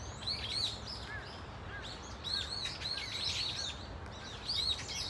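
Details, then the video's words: Flock of brown-eared bulbuls at Dunsan Grand Park, calling in many voices: overlapping high, arched squeaky notes, some rising and falling, heard over steady low rumbling background noise. "직박구리 무리 다양한 울음소리 Brown-eared Bulbul sound of crying"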